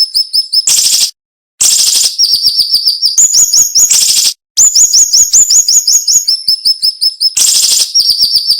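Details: Siri-siri, the cinnamon-bellied flowerpecker, delivering a dense, sharp song with little pause: quick high-pitched chirp series switching between slurred and flat notes, interrupted by harsh noisy bursts and short silent breaks.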